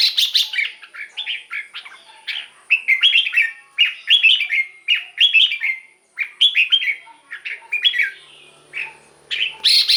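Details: Caged red-whiskered bulbul song played to excite other caged birds: a busy run of short, bright, warbled phrases, each slurred up and down, following one another with only brief gaps, alongside a faint steady high whine.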